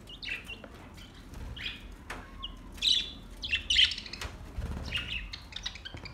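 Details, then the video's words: Budgerigars singing, August 4, 2023: rapid bright chirps and buzzy warbled notes in uneven bursts about once a second, over a low rumbling background with occasional flapping. "Beautiful budgies relaxing song beautiful sinning and sound"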